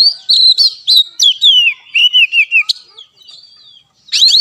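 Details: Oriental magpie-robin song for training a caged bird to sing: a fast string of whistled notes dropping in pitch, a short pause, then a new rising phrase.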